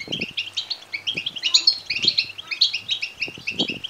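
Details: Goldfinch chicks calling to be fed, chosen to stimulate males to sing and mate; rapid, bright chirps repeated several times a second in a tight chorus, with a few soft low taps.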